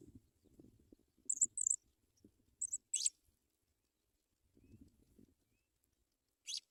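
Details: African pipit chicks in the nest as adult birds bring white butterflies to feed them; thin, very high chirps in quick pairs and short bursts, with soft low rustling between calls.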